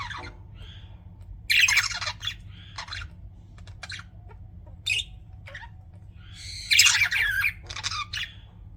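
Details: Budgie chirping from pet birds: short grating squawks and brief warbled bursts scattered over nearly nine seconds, with two louder chattering phrases near one and a half and seven seconds.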